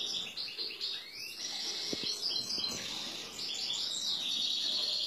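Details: Excited male European goldfinch, ready to pair with a female canary, keeps up a dense, continuous high twitter of quick chirps and short rising notes, with a few faint low knocks in the background.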